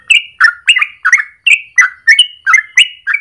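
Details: Rapid 'ropel' morning song of a yellow-vented bulbul (trucukan), used as a lure or training master: eleven loud, liquid, slurred notes in just over three seconds, each a quick bubbly whistle dropping in pitch.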